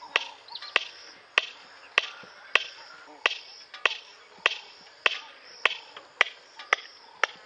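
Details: A red-crested korhaan (Lophotis ruficrista) in Kruger gives a steady series of sharp, dry clicks, roughly one every half second, with faint chatter from other birds underneath.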